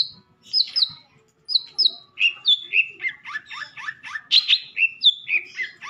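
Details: Madura long-tailed shrike song full of sekebon-style fill-ins, used as a tutor recording: a rapid, varied stream of high chirps and downslurred whistles, several per second, shifting in pitch throughout.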